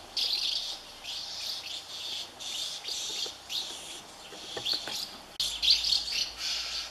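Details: Hungry House martin chicks in a thirty-nest colony, parents feeding them; buzzy high twittering in swelling waves about once a second, a few low knocks near the end and a sudden shift in background hum.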